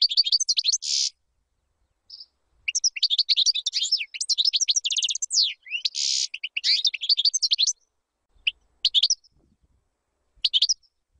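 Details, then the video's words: Singing European goldfinch used to teach chicks: dense, fast twittering phrases mixing liquid trills, rising chips and buzzy notes, continuous for several seconds, then scattered short chirps near the end. "تغريد طائر الحسون بدون أخطاء لتعليم الفراخ"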